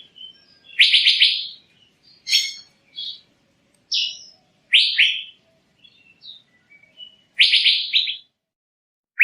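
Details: Male Asian fairy-bluebird lure call: scattered loud buzzy, scratchy bursts and sharp chips at irregular intervals, separated by silent gaps, clean and close.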